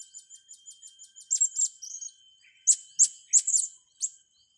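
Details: Blue-crowned hanging parrot calls for training young birds: a quick series of soft, very high ticking chirps, then louder shrill squeaks and piercing single notes, with a steady thin whine underneath.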